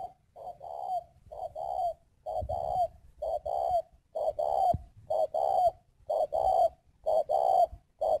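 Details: A spotted dove kept as a decoy bird coos steadily in short phrases of two or three soft notes, repeated roughly once a second with brief gaps, in a quiet room.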